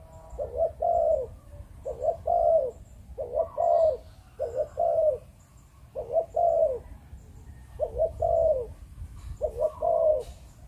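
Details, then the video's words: Spotted dove, kept as a breeding bird in Vietnam: repeated low mellow coos in short two- to three-note phrases roughly every second or so, steady and clear, with faint background hiss. "Chim Cu Gáy"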